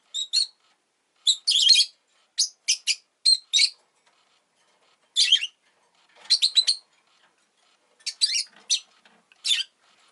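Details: A captive rosy-faced lovebird kept as a pet, egg newly laid, chirps in clusters of sharp, rasping notes, three or four rapid ones together, then pauses of about a second.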